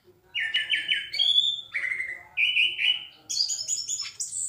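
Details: Orange-headed thrush in active, loud and clear song: a run of bright whistled notes in short strings, some repeated three times, stepping between phrases and climbing to thin, high whistles at the end.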